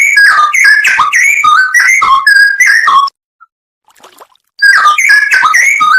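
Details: Cucak rowo, the straw-headed bulbul, singing a full-filler 'nembak' training song for songbirds: three seconds of loud, fluty, tumbling whistles, a brief silence, then the rich bubbling phrases resume.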